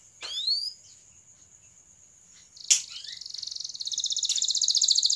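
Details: Canary (Serinus canaria) lure song meant to stimulate other canaries to roll and sing: a few quick upward-sweeping whistles, then a fast, buzzy rolling trill over a thin steady high note, growing louder.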